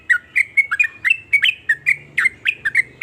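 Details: Sooty-headed bulbul delivering a 'nrooel' run of rapid, bright, slurred chirps, roughly four a second, each note bending down then up, over faint low background hum.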